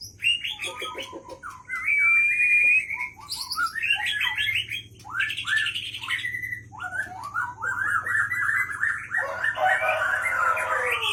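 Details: Song of a White-rumped shama from Pining, Gayo Lues, Aceh, a Leuser-type bird caught in 2013. Long rich phrases mix a clear rising whistle, buzzy descending slurs and rapid rolling trills in near-continuous delivery over a faint hum.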